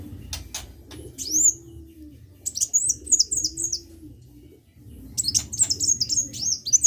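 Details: Vigorously singing sunbird (gacor) gives a lone high slurred whistle, then rapid runs of four or five sharp, high descending-rising notes after pauses, over a faint low hum and a few clicks.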